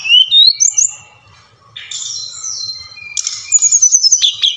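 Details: Brown-chested jungle flycatcher (Bali type) song used as lure playback to stir quiet birds into singing: high, clear whistles sliding upward, then a burst of fast, sweet twittering notes, with no other sounds.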